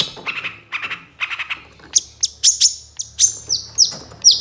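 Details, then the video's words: Long-tailed shrike used as a lure for reluctant singers: soft grating double notes at first, then sharp, high, down-slurred squeaks repeated about twice a second. "PANCINGAN CENDET SUSAH BUNYI LANGSUNG NYAUT DAN IKUT GACOR DENGAR SUARA CENDET INI"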